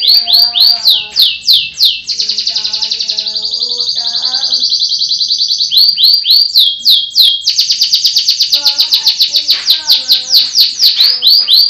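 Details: Russian canary kept as a pet in Pemalang, Central Java, Indonesia, sings a loud, unbroken song of fast rolling trills and sweeping chirps, with a long steady buzzing roll in the middle and rapid repeated high notes.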